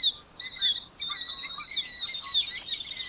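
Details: Killdeer (Charadrius vociferus) of North America: a few high piping notes break into a continuous, shrill, rapid trill that holds steady to the end.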